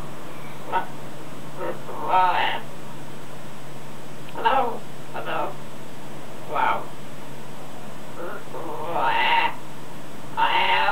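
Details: A pet macaw practising words outdoors, such as Hello, Hola, Step Up, Come Here, Good Boy and Stop It, talks in short, hoarse, word-like bursts of one or two syllables, every second or two, over a low hum.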